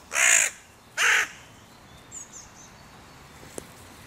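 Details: Crows calling where the territory borders of three breeding pairs meet, at the music pavilion in König-Albert-Park; two loud harsh caws about half a second apart, then faint high bird chirps.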